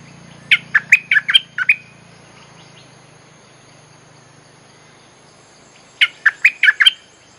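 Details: Olive-winged Bulbul lure song for calling wild birds: two quick bursts of about six bubbly whistled notes, several seconds apart, over a low steady hum early on.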